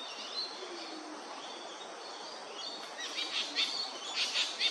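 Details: Male Australasian figbird preening in tropical sun in Far North Queensland, Yirrganydji Country: quiet natural background, then a burst of short, bright chirped notes in the last two seconds, repeated roughly once per second.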